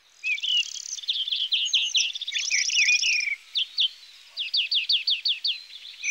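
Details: Song of a European greenfinch: a dense twittering warble with a buzzy trilled passage, then a series of sharp repeated chirps near the end.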